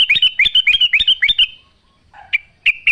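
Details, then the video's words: Yellow-vented bulbul in a natural setting giving a rapid run of about seven bright, bubbling double notes, then a pause and three more clear chirps. "trucuk gacor full suara alam"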